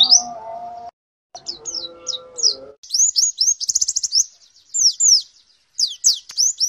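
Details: Warbling white-eye (pleci) 'nembak' tutor song for morning dew-time playback: bursts of high, twisting chirps in short runs separated by gaps, with a lower steady whistle from another source at the start.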